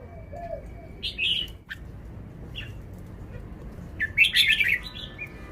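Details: Red-whiskered bulbul giving its song phrasing: a brief whistled phrase, scattered sharp chips, then a longer rich bubbling warble toward the end, with a faint low coo early on.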